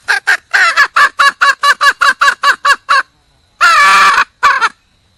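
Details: Female red junglefowl seeking a partner: a rhythmic string of rasping cackle notes for three seconds, a pause, then one long drawn-out squawk and a final short note.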